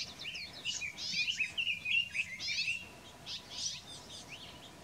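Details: Female Palila, a rare honeycreeper songbird, foraging on Hawai'i's Big Island on 20 July 2015 at 7:13 am: rapid series of high, sharp chirps and short warbled notes, dense bursts over the first three seconds, then fewer notes.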